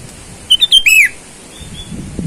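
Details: Sooty-headed bulbul calling rivals in the wild, used for luring wild birds: a single brisk phrase of three short rising chirps ending in a drawn, descending whistle, then faint softer notes and a low rustle.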